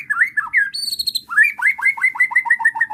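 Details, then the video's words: White-rumped shama provoked into singing by bait song, giving looping whistled notes, then a fast string of sharp, evenly repeated downslurred chips with faint high tones above. "PANCINGAN JAHAT MURAI BATU EMOSI BIKIN LANGSUNG NYAUT DAN BONGKAR ISIAN DENGAR SUARA INI"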